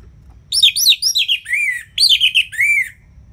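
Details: An Orange-headed thrush delivers rich, slurred whistles in ngeplong style, each phrase sweeping down in pitch, grouped in two bursts separated by a short gap.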